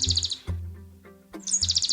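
A Chestnut-backed Chickadee gives two quick bursts of very high, thin, rapidly repeated chipping notes, over a low hum of music.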